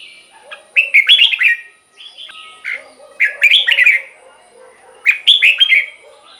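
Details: Red-whiskered bulbul kept in a cage sings bright, liquid, warbled phrases about every two seconds, three phrases in all, with soft lower chattering in the background.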